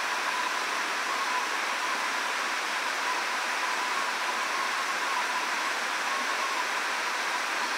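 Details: Steady broadband hiss like rushing water or a waterfall fills the recording, with no animal calls.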